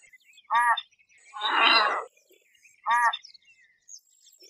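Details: American white ibis uttering two short, harsh, harmonic calls about two seconds apart, separated by a broad whooshing burst of noise.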